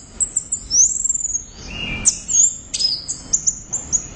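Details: Orange-headed thrush, a caged songbird, singing loudly: high whistled slurs and rapid chattering phrases, with sharp descending sweeps and varied mimic-like notes strung together almost continuously.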